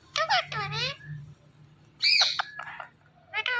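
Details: Speech-like vocal bursts from a talking Indian ringneck parrot: two loud, wavering harmonic calls, then a harsher high squawk and a brief final cry, over a low steady hum.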